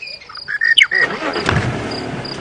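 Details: Male Monotonous Lark calling close beside a safari vehicle at sunrise, 19 March 2017, hoping to find a mate. Quick whistled notes and a falling slur in the first second, then a vehicle engine rumbles over the rest.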